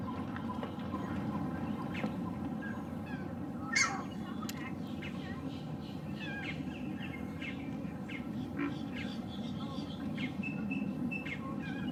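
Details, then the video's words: Male green heron calling from a perch, one loud harsh burst near the middle standing out above steady low rumble and faint chirps of other small birds; recorded with a Lumix GH6 and 300 mm lens. "Green Heron Calling"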